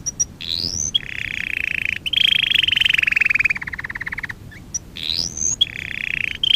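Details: Canary sings a training song: rising whistled sweeps lead into long buzzy trills, one sliding gradually downward into rapid rattling notes, with the phrase pattern repeating.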